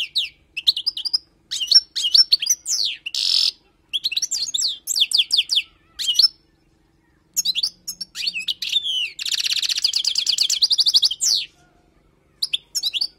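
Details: European goldfinch, wild-type song for tutoring, in bursts of quick tinkling twitters and sharp slurred notes, a short buzzy rasp, then a long dense trill after a pause of silence.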